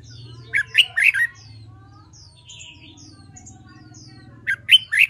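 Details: Red-whiskered bulbul in training for competition singing: two bursts of short, bright warbled phrases, then a quiet pause with a low steady hum, and another quick burst of sharp notes near the end.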